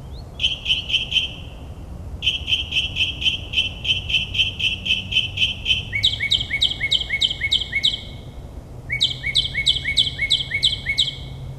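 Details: Nocturnal northern mockingbird in suburban New Jersey mimicking a dozen-plus species: long rapid trains of high chirps, switching midway to a doubled two-pitched chip repeated about eight times, then a fresh burst after a short gap.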